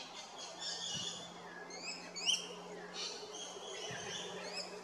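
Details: Rainbow lorikeets filmed at Big Swamp Station, South Australia: a busy chorus of short, high, shrill chirps and screeches overlapping throughout, with a steady low hum beneath.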